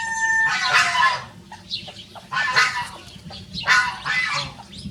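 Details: Two free-ranging Rosecomb bantam roosters, small show birds, crowing in turn: a clear harmonic tone breaks into hoarse, noisy crows, three loud bursts about every one and a half seconds.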